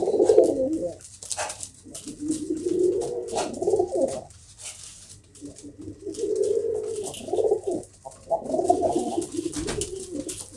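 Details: Domestic pigeons in a fancier's loft, low bubbling coos in separate phrases of about one to two seconds, with clicks and rustling between them.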